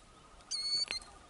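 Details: Killdeer protecting its eggs with an injury-faking distraction display at a ground nest in Kananaskis, Alberta, Canada; a loud, piercing, high steady note lasting about a third of a second, then a short lower chip.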